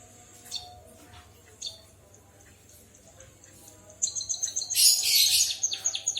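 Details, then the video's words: White-headed munia in full, vigorous song imitating a canary: after faint scattered high chirps, a fast, very high, thin trill of rapid repeated notes bursts in and runs to the end. "Burung Emprit Kaji Gacor Bersuara Burung Kenari"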